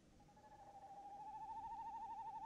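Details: Male tawny owl inside a nest box, recorded 22 January 2018: one long quavering hoot held steady for the whole stretch, a wavering mid-pitched tone that slowly grows louder, with faint background hiss.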